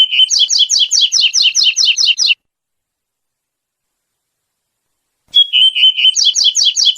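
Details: Wild double-collared seedeater singing the pure tui-tui song type: a run of rapid, evenly repeated high two-part notes, about six per second, then silence, then a clear whistled note opening a second identical phrase.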